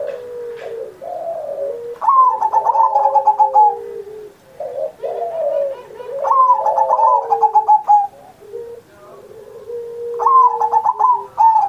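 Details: Zebra dove (perkutut) in steady, full singing (manggung gacor) on Indonesia's Independence Day, used as a master recording to coax pet doves. Three phrases, each a fast stuttering burst of coos, then lower drawn-out coos, with a flat lower tone alongside.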